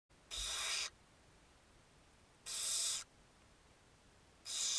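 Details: Barn owl at a nest filmed by webcam during a feeding, giving harsh hissing, broadband screeches about half a second long, three of them spaced roughly two seconds apart over quiet background.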